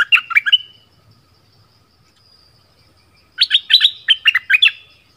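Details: A decoy bulbul from the south of Thailand delivers a short liquid chirping phrase, falls quiet for nearly three seconds with faint low rumble behind, then answers with a fuller string of bouncy notes.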